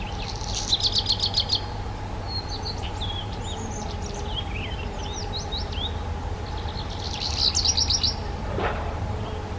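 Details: Black redstart giving crackly, grinding bursts of rapid clicks framing a run of thin, high, wavering whistled notes, with a constant low hum and a brief thump near the end.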